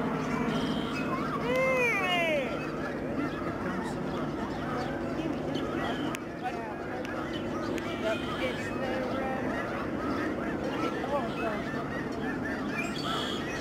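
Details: Huge flocks of snow geese flying and circling down to land at a bird sanctuary in Delta, British Columbia, Canada, March 24, 2011; a few clear rising-falling honks open the recording, then a dense, distant chorus of flock calls continues with background hum.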